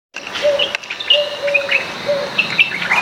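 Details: White-eared bulbul, also called white-cheeked or Iraqi bulbul, singing in a backyard: short warbled whistled phrases that rise and fall, repeated several times, over low dashed humming tones and faint chirping from other birds.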